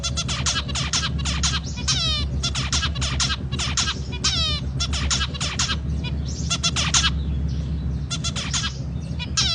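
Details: Dense run of nasal, trumpet-like zebra finch notes, closely packed and repeated almost without pause, over a constant low hum.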